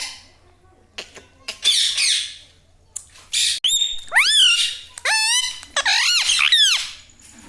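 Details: Pet parrot trained to say mummy and mithu mithu: breathy, noisy utterances give way to loud, arching, nasal syllables repeated in quick succession, sounding like mimicked words.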